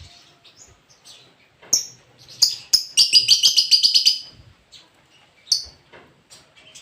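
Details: Lobert song with soft high twitters leading into a rapid, loud rattling trill of about a dozen even notes over nearly two seconds, then bright clipped whistles and quieter chatter.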